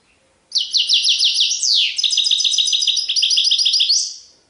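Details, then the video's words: Goldfinch singing serfati tiwawati style, a continuous four-second stream of quick repeated high trills, broken by one downward-sweeping note and ending on a rising slur. "تغريد حسون سرفاتي تيواواطي"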